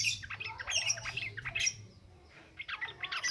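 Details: Yellow-vented bulbul in ngropel ngalas style, a lure recording for training birds: harsh, bubbling chatter for about a second and a half, a brief pause, then more scratchy notes.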